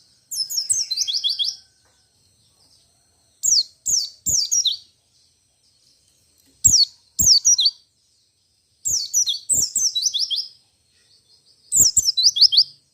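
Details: Bursts of shrill, rapid twittering from a white-eye singing 'ngalas ngerol nembak' style, said to set off other white-eyes: fast falling high notes grouped in phrases a few seconds apart, with crisp clicks between.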